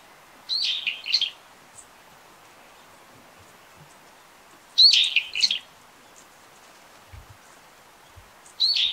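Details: Wild brown-eared bulbul giving harsh, high squealing calls in three bursts several seconds apart, each a short run of strained shrieks, over a quiet outdoor background.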